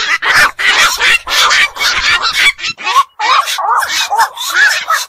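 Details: Black-crowned night heron calling at night near ponds or wetlands: harsh, broadband squawks packed tightly together, easing into shorter nasal, wavering notes in the second half.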